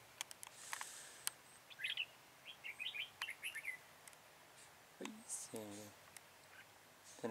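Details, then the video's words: Red-whiskered bulbul used as a decoy for trapping, recorded 13 October 2018: short clusters of bright, quick whistled notes in the middle, with a man speaking before and after and rustling sounds. "Bẫy chào mào Hàng Xòe đuôi hết bản"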